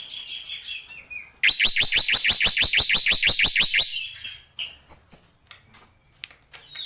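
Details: Black-winged myna, locally jalak pito or jalak putih, delivering a tembakan burst: about sixteen harsh, rapid, evenly timed notes rattle out in a steady stream, followed by scattered high whistles.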